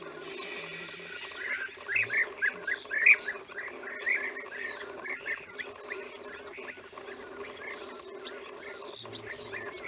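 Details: Chorus of wild European bee-eaters recorded in Romania in 2016: after a quiet start, a dense burst of short purring calls, several a second, then fades to scattered high chirps over a steady low hum.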